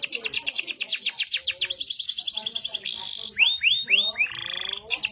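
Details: Yellow domestic canary singing: rapid high trills of repeated downward-sweeping notes, then a fast buzzy roll, a burst of rising upswept whistles and a steady rattling trill, all bright and high-pitched with a faint low background murmur.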